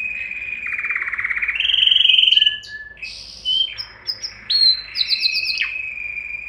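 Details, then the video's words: Canary singing to arouse males and females for breeding: a rolling buzzy trill climbing into a bright high whistle, then scattered chirps, downslurs and steady tones over a low background hum. "تغريد كناري لتهييج الذكور والاناث"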